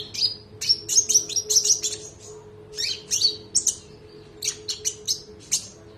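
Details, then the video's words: Konin, a spotted (trotol) bird, sings a training song for other birds with sharp 'shot' phrases and long rolls: bursts of high, bright chirps and trills in tight clusters, pausing briefly between groups, over a faint steady hum. "KONIN NEMBAK MEWAH❗❗ KONIN TROTOL GACOR NGEROLL PANJANG"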